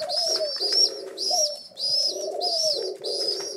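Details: Pigeon chicks rescued a week ago wait for their morning feed indoors, giving steady bursts of thin, high, slightly rising peeps about every half second over a buzzy lower drone.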